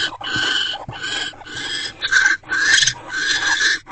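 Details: Male and female barn owls in a nest box at night, 17 January 2024, during a rodent delivery and mating: rapid, rasping, hissing bursts, repeated almost twice a second, some rougher and louder near the middle.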